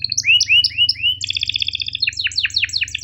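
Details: Sharp chirp-and-roll canary song from a masteran for tutoring hesitant and young canaries: rising slurred notes repeated quickly, then a long rapid rattling trill and sharp falling chirps, steady low hum underneath.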